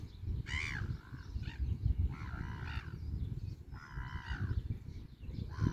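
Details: Gulls calling to one another, described as playing and chatting: loud harsh laughing and squealing cries in bursts, several birds overlapping, over steady low rumbling background noise.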